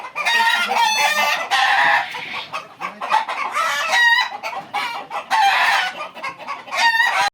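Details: Farm-kept Egyptian Fayoumi chickens in Bakshiganj, Jamalpur, Bangladesh, calling almost without pause. Loud raspy squawks and cackles come one after another from several birds, with short dips of quieter clucking between them.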